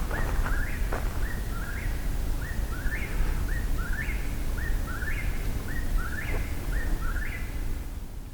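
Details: Eastern Whip-poor-will at night during a nocturnal hike, chanting its rolling three-note 'whip-poor-will' over and over, nearly one phrase each second, above a steady low rumble of wind.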